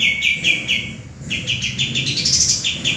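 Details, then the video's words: Male common iora, tutor song for cage birds: bright, quickly repeated chirping notes with a tiny break, ending in higher squeaky notes. "suara burung kapas tembak jantan gacor"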